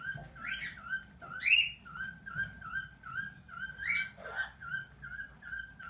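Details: Tame plum-headed parakeet mimicking speech indoors: a string of short, even, whistled syllables repeated steadily, broken by a few louder squeaky notes and a dropping squeal.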